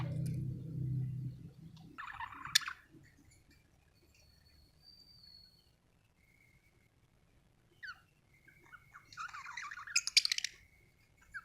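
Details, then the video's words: Chirping budgie with a burst of scratchy chatter near two seconds, thin whistled notes in a quiet middle stretch, then a louder chattering burst toward the end; low rumble at the very start. "budgie chirping sound"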